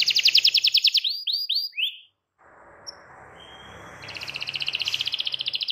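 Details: Canary singing a fast trill and a few rising whistles, then a short pause with background hiss before another rapid rolling trill.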